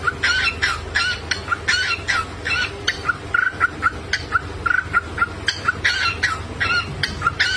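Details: Cockatiel singing while dancing, its vocalizations accompanying the dance: rapid run of short chirps and buzzy warbled notes, several per second, with a constant low hum underneath.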